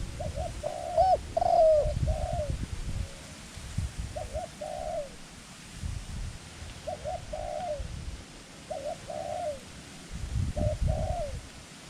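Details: Dove used as a trapping decoy in Thailand, calling to wild doves. One loud, ringing coo early, then steady series of soft, muffled falling coos every couple of seconds over low rumbling background noise.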